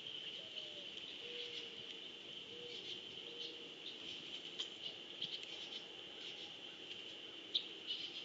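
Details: Mourning dove recorded on 10 July 2015, giving a soft, low cooing phrase: a brief rising first note followed by three steady, hollow coos about a second apart, faint beneath a constant high-pitched insect drone and scattered chirps.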